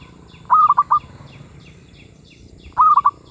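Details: Zebra dove cooing at medium pitch: two rapid staccato phrases, each of about four quick rolling notes, separated by two seconds of quiet with faint background noise.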